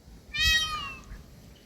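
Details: Indian peafowl, said to be a peahen: one loud, clear, nasal wail under a second long, rich in harmonics and sliding slightly downward like a drawn-out meow, over a faint low rumble, with brief voices just after.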